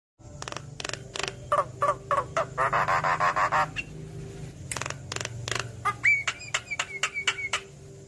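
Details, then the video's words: Javan myna song used as a lure to get quiet mynas singing: harsh rasping bursts in a rapid, irregular series, a stretch of buzzy chatter, then short whistled notes near the end, with a low hum behind. "Pancingan Jalak Kebo Malas Bunyi Langsung Nyaut Saat Dengar Ocehan Suara Khas Jalak Kebo Manggut2"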